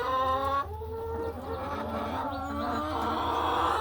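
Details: Laying hens in a hen house on an ordinary farm afternoon produce sustained, gently wavering tonal calls overlapping one another over a constant low hum.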